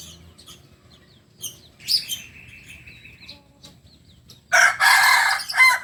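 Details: Kukuak Balenggek chicken, a native breed of Solok, crowing: a thin, steady tonal phrase held for about a second and a half, then a loud, harsh, broadband burst of crowing near the end, with quiet scattered chirps earlier.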